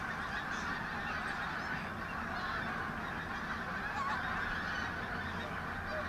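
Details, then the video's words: Large numbers of pink-footed geese coming and going at a Lancashire wetland reserve, Martin Mere, on a sunny 8 October 2012; constant layered honking from a distant flock. "Pink- Footed Geese"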